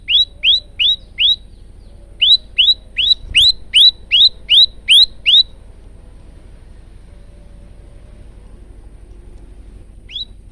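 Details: Male prinia song for training: four rising chirps, a short gap, then nine more upswept notes at a steady rhythm, followed by several seconds of near silence and one last chirp.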